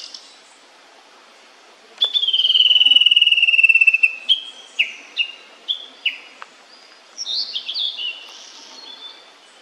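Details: Immature blue-and-white flycatcher singing clearly: a long, pure, slowly falling whistle, then a series of short stepped whistled notes spaced about half a second apart, ending in a quick tumbling high flourish.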